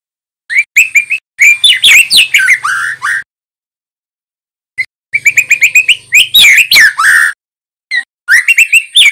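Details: Young male white-rumped shama song used as a training recording: bursts of rapid whistled notes and varied chattering phrases, separated by pauses of about one to two seconds, repeated three times.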